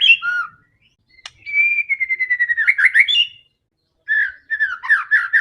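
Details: White-rumped shama in full, aggressive fighting song used to provoke other shamas: a clear whistled phrase, a pause, then a long falling whistle breaking into rapid warbled notes, followed by further looping whistles.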